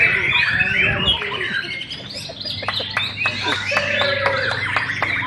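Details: White-rumped shama, tailless, performing at a songbird competition in Sibolga: a dense, varied run of rich whistles, rising and falling slurs and sharp repeated chirps. Other birds sing close by, and people talk in the background.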